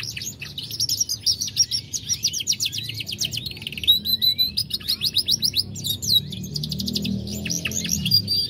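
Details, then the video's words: Dutch gold Lizard canary, 2020, singing loudly with varied phrasing: fast, high, buzzy trill runs, rising whistled slurs and sharp chips follow one another almost without pause over a soft low rumble. "Lizard gold Belanda 2020 Gacoorr dorr cengkok istimewah"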